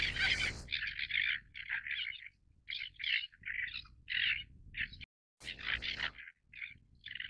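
Greater crested terns give harsh, grating, rasping calls in quick uneven bursts, with a low rumble of wind or surf underneath.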